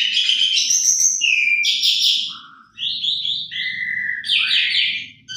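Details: Asian pied starling lure song for silent starlings: dense, high buzzy and whistled phrases with falling slurred notes and a short dip before resuming, over a faint low background hum.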